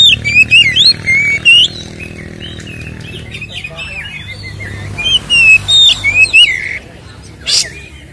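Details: White-rumped shama singing as a lure for captive birds to fight: bright looping whistles and trills in two bursts separated by a quieter stretch, ending in a harsh rasping note, low hum beneath.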